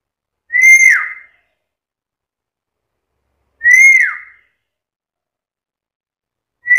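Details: Black-capped lory, said to talk and chatter a lot, repeating the same bright whistle roughly every three seconds, each note level before dipping lower at its end, in otherwise silent surroundings.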